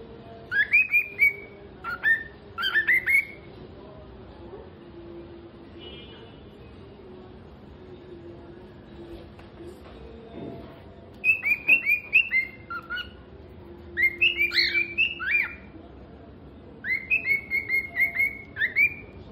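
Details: A cockatiel sings bursts of bright, warbling whistles, rising and falling, with short pauses between phrases.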